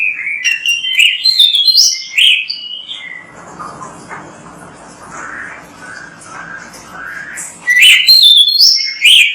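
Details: Oriental magpie-robin singing energetically on a training recording meant to coax other magpie-robins into song: bright, varied whistled phrases at the start and end, with quieter, softer warbling in between.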